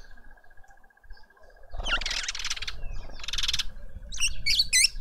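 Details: Lovebirds feeding a juvenile in a suburban garden in Pretoria, South Africa; after a quiet start, noisy rasping chatter rises, with a later burst and a few quick rising squeaks at the end over a steady faint hum.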